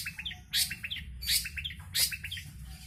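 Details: Caged long-tailed shrike in Jombang, East Java, Indonesia, kept for about two weeks, with fresh plumage after moulting and darker colouring than usual: short clipped whistled notes in quick groups alternate with harsh buzzy bursts, over a low hum.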